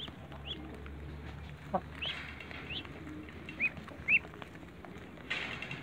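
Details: Muscovy ducklings jumping up to eat eggs in a backyard. Thin, high peeps rise and fall, scattered singly and in pairs over a few seconds. Soft rustling and a low hum sit beneath, with a brief noisy burst near the end.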